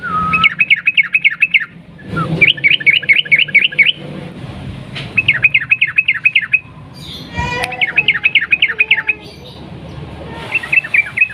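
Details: Lure recording of a yellow-vented bulbul's long 'ropel panjang' song: five bursts of about seven rapid, springy upslurred notes each, separated by short pauses, with a sharp click midway.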